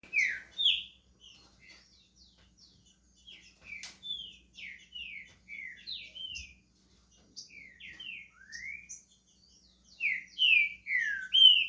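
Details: Pet green-winged saltator in Brazil starting to sing: soft, scattered high chirps give way to loud, slurred whistled notes sliding downward, delivered in quick bursts near the start and end.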